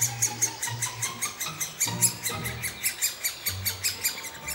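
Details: Great spotted woodpecker feeding its young in Băneasa Forest in May 2014: a fast, steady run of harsh, high chattering notes, several each second, over a low rumbling background.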